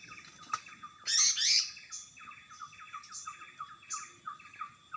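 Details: In the wild, a greater green leafbird gives a loud, harsh, rich burst of song for about half a second, amid a busy background of rapid, repeated falling chirps and occasional faint high notes.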